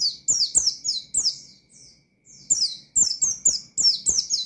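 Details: Provoking pleci song: quick strings of shrill, high descending notes, a break of under a second, then another busy run of sharp chirps.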